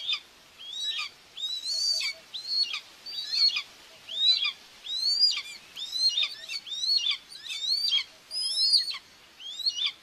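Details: Common buzzard mother feeding her two chicks at a nest in Tiszalök, Hungary, 2 June 2024, via live nest camera; shrill upslurred whistles repeat roughly every second, about a dozen over ten seconds.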